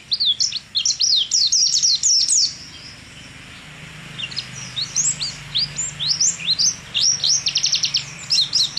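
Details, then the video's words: A contest-winning pet white-eye (pleci) sings rapid, high, twittering phrases of sharp chirps and quick trills, pausing briefly mid-song before resuming with fast rattling notes. "Suara burung pleci ngalas jarawa"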